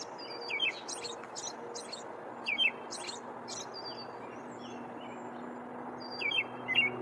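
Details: An American robin perched on a branch sings short caroling phrases of clear, slurred whistles mixed with thin, high squeaky notes, a few seconds apart, over a faint low hum.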